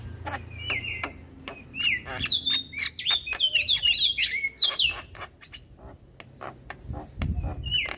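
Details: Young black-winged myna singing nonstop while bobbing its head, with a varied chattering song of whistled, slurred notes around mid-high pitch mixed with sharp clicks and rasping bursts, plus some low background rumble.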